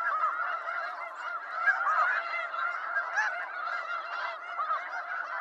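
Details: A large gathering of snow geese produces a constant wall of overlapping yelps and honks, with occasional sharper, louder calls rising out of the din.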